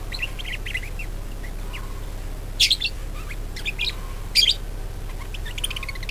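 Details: Budgerigar chatter meant to coax other budgies into lively singing: soft scattered chirps, with two louder, harsh buzzy bursts in the middle over a constant low background hum.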